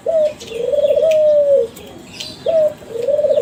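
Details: Young captive Kelantan spotted doves of a champion line, recorded as a calling lure. A short clipped note is followed by a long smooth coo, then the pattern starts again, with soft bird chirps in the background.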